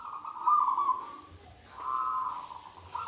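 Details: Local wild Indonesian Zebra Dove, a lure call for other doves: two soft, rolling cooing phrases with a gap between, background hum.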